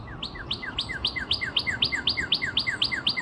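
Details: Near Nashville, Tennessee, 17 April 2026, a northern cardinal repeats a quick two-note phrase steadily, about four times a second: a bright upward-sweeping note followed by a lower falling slur, over faint low background rumble.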